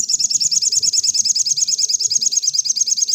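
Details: Master recording of a sogon in 'nembak rapat' style for training caged birds. An unbroken, high-pitched, buzzy rattle of rapid, evenly spaced pulses fills the whole stretch. Faint low murmur beneath.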